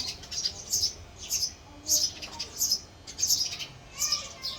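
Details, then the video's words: Male house sparrow calling with short, sharp, high chirps in separate bursts, roughly one every three-quarters of a second, fairly steady, with a faint low hum behind. "Male Sparrow Call, Male Sparrow Chirping Sound"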